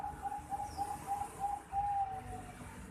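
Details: Juvenile zebra dove of the Bangkok type, 4.5 months old, giving a fast series of short, thin, level notes at a steady mid pitch. The notes are fairly faint over a low background rumble.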